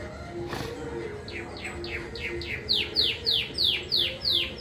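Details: Contest-singing domestic canary in Juiz de Fora, Minas Gerais: soft downward-sliding notes growing louder into a crisp repeated series of falling chirps, roughly three per second, over a low hum.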